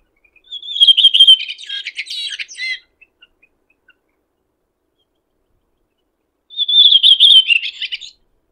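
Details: Red-throated thrush singing in nature: two separate phrases several seconds apart, each opening with a high whistled note that slurs down into rapid chattering twitters, with faint ticks between them.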